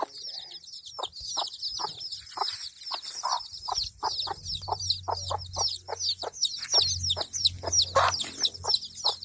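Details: Many chicks cheep in high, rapid, overlapping notes beside a hen giving steady brief clucks, with a faint low hum in the background midway.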